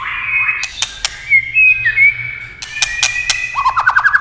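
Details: White-rumped shama singing when stirred by tail-tapping: sustained clear whistles, then a slurred upswept note, then a fast rising-falling trill at the end. Sharp dry clicks are interspersed throughout.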